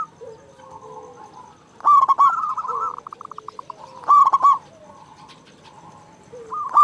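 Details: Local zebra dove with a big voice, played to make silent doves call; two loud rapid coo bursts with a trailing rolling trill, softer doves cooing underneath throughout.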